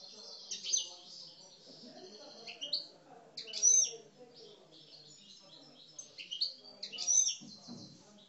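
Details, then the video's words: Caged Algerian parva European goldfinches, described as aggressive, sing bright, tinkling twitters and liquid trills in bursts every second or two, high-pitched, with a faint low murmur and possible voices behind. "Mes Chardonnerets Parva Algeriens Coupleurs, Agressif"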